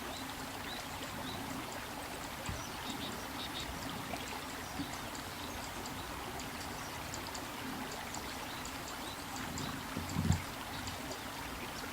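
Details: Steady running water and a low background rumble fill the recording, with one brief knock near the end and no clear animal call.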